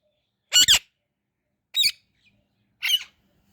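An Indian ringneck parrot gives three harsh, raspy screeches about a second apart, the first one doubled, with quiet in between.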